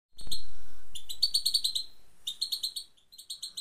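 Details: Female European goldfinch giving its single repeated call: a loud thump opens, then short bright high chirps in quick bursts of about six to eight notes, three bursts with brief gaps.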